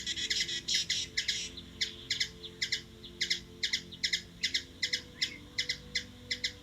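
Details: Hummingbird in Washington DC, USA, opening with a rapid, crowded burst of chips that settles into evenly spaced paired chip notes, roughly two or three per second.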